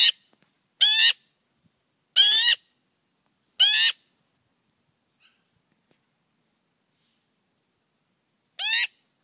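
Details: Young male magpie fledgling visiting a garden in the morning, tame and very loud, crawling over people. Five harsh, hoarse squawks with rising, ringing overtones, each about a third of a second, at uneven gaps, with silence between.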